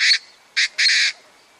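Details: Painted francolin giving loud, harsh, rasping notes: a short burst, a pause, then a brief note followed straight away by a longer grating one. The background is otherwise quiet.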